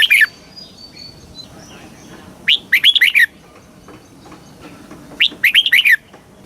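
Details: Thailand caged red-whiskered bulbul singing a southern master-style song meant to excite birds and teach chicks. Two phrases of a clear rising whistle followed by quick bubbly notes, about three seconds apart.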